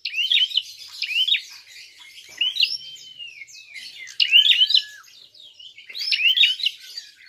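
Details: Rapid, high upslurred chirps from a fighting prinia serve as a provoking lure, coming in irregular clusters with a few longer falling whistles between them.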